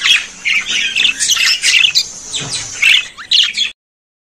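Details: A short burst of budgerigar chatter: busy, raspy warbling mixed with squeaky chirps and squawks, ending abruptly.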